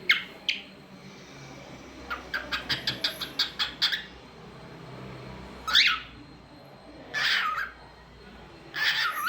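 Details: Pet cockatiel making different sounds: two sharp chirps, then a rapid run of about eight clicking, chattering notes, followed by three loud, harsh screeching calls spaced a couple of seconds apart indoors.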